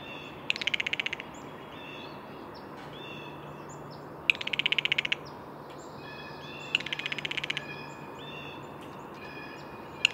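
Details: Four rough, stuttering calls from a blue jay, each a brief burst of rapid pulses, spread across ten seconds, with thin whistles and chirps of other birds filling the gaps.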